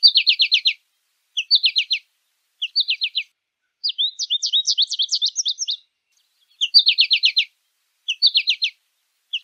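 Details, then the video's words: In nature, an American goldfinch sings repeated quick bursts of high, descending twitters, broken by a longer, more varied run of jumbled squeaky notes, then returns to the short bursts. "PITASSILGO AMERICANO CANTANDO MUITO NA NATUREZA - CANTO DO PINTASSILGO AMERICANO"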